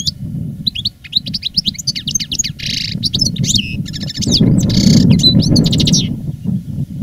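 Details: Caged veteran European goldfinch, strong in song after its moult, singing a rapid twittering song of liquid chirps, rattled trills and buzzy bursts, against a louder low rumbling background.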